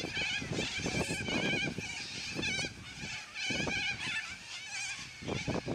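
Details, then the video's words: A flock of yellow-crested cockatoos, noisy and energetic, delivering loud squawks: rough, wavering screams in long overlapping runs, pausing briefly midway, over steady low rumbling. "Noisy Yellow Crested Cockatoos Take Over!"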